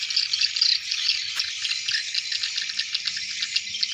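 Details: Swiftlets in large numbers entering their nest at dusk, giving a steady chorus of high, rattling twitters, with a faint low hum underneath.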